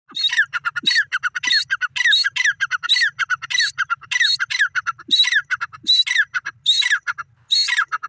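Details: Grey francolin, known locally as irani teetar, calling: loud harsh squawking phrases of several rapid notes repeated roughly every 0.6 seconds, each with rising buzzy strokes, with brief low thumps between.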